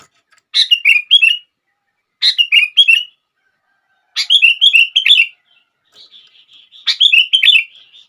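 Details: Repeated sooty-headed bulbul song used to get other bulbuls singing: four bubbly phrases roughly every two seconds, each a harsh chirp followed by three or four rolling whistles, the last preceded by soft chatter.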